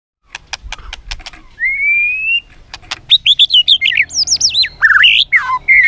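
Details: White-rumped shama, a caged bird, singing a varied song meant to teach other shamas to sing: sharp clicks, then a long rising whistle, then rapid looping whistled phrases that swoop up and down, with a low rumble underneath.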